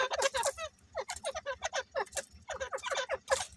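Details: A breeding pair of grey francolins gives rapid, harsh, falling notes in bursts of three to five, the phrases running almost continuously with only short pauses.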